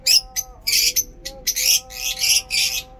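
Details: Lovebirds chirping during pleasant weather in Peshawar, giving dense, raspy chirps in long rough bursts about every half second, with a faint steady hum underneath.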